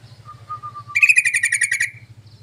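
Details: Bulbul lure, the yellow-vented species, used to call others of its kind: soft thin whistles give way to a quick rattling chatter of pulsed notes that fades out, backed by a low electrical-sounding hum.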